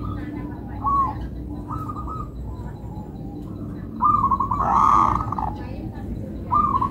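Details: Zebra dove of local stock (perkutut lokal) cooing in a melodious rhythm. Short rolling phrases recur every second or so, with one louder, harsher burst midway. A low hum sits beneath.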